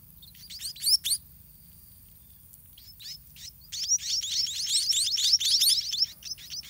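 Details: White-rumped munia chicks in a garden nest: a few loud high squeaks, a quiet spell, then the begging swells into a continuous overlapping chatter of rising chirps as feeding begins.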